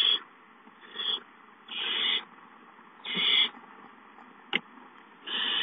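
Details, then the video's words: Barn owl owlets at a nest on 19 April 2013 give harsh, breathy hisses, each about half a second long, repeated irregularly every second or so, with a single sharp click between them. "The Owlets hiss"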